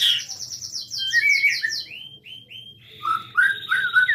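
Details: Energetic white-rumped shama song recorded at Cipinang Muara: rapid high descending notes in quick succession, a few rising slurred whistles, then rich varied warbled phrases, steady and loud throughout.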